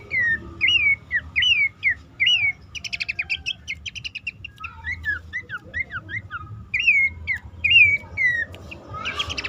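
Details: Lure call of a bush warbler used to prompt caged birds that are stressed, stalled or hard to get singing, recommended at dawn or night; clear upslurred whistles repeat about every half second, broken by a burst of fast chips.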